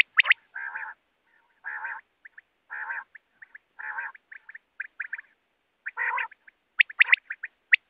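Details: A quail repeats coarse buzzing phrases about every second, broken by brief high ticks, ending in a flurry of sharp, clicking high notes.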